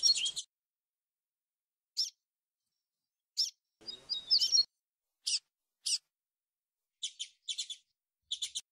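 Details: Double-collared seedeater singing a 'grego flautado' flute-like song, noise-cleaned home-edited recording: clusters of short high chips spaced irregularly, a quick warbling run of sliding whistles midway, then rapid paired chips near the end.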